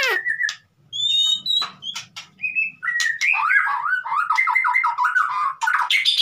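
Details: White-rumped shama song offered to trigger singing in a mute bird: a few clear whistles and a falling note, then a rapid chattering sequence of repeated slurred notes rising toward the end.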